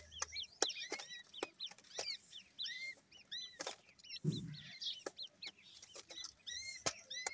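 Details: Grey francolin chicks calling in a group with repeated thin, high, hooked peeps spaced irregularly. Frequent sharp clicks and one low muffled thump in the middle.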